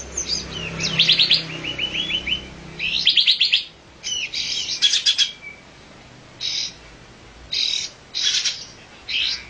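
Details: Olive-winged bulbul calling in repeated bursts of bright, fast chattering notes, some sliding upward, separated by short pauses, with several shorter clipped phrases near the end.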